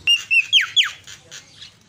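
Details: Myna sounds played to provoke silent birds into calling: two short level whistles, then two loud notes sweeping sharply downward, followed by softer breathy bursts.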